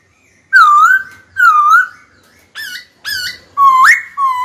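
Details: White-cheeked laughingthrush singing during training to challenge a rival to fight: two long wavering whistles, then shorter hooked whistled notes ending in a sharp upward sweep, indoors.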